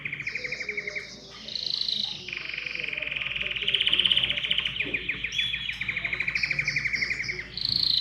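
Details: Canary singing loudly to stimulate other birds to sing, a powerful clear song of fast rolling trills that shift pitch from one phrase to the next, with rapid repeated notes and short pauses.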